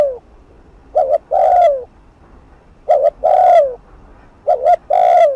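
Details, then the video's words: Spotted dove, cu gáy, giving fast provocative 'thúc gù' coos for a decoy. Three phrases about two seconds apart, each a brief paired note followed by a sustained, falling coo. "Cu gáy Thúc Gù TỐC ĐỘ kích bổi/kích mồi nổi điên gáy ngay"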